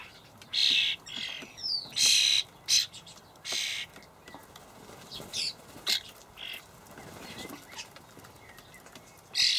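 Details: Juvenile common starlings being fed by parents in a Hamburg allotment garden, 28 May 2012; several harsh rasping bursts early on, then quieter scattered chirps and clicks, a thin whistle near the end.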